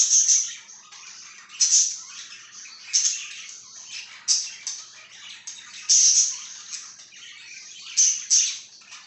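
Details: Budgerigar chirping: bright, high warbling chirps with sharp loud notes bursting out roughly every one to two seconds over a steady chattering background.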